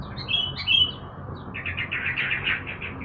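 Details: Morning sunning of kept yellow-vented bulbul: two bright whistled notes open, followed by a quick bubbly run of about a dozen chattering notes, over low background rumble.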